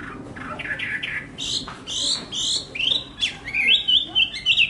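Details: Singing Hwamei: harsh, rasping notes first, then sharp, clear whistled sweeps in quick succession.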